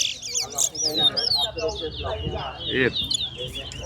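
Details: Towa towa in a bird singing competition, with onlookers counting its songs: a run of sharp whistled slurs, some rising and some falling, repeated in quick succession, overlapping crowd talk and background music.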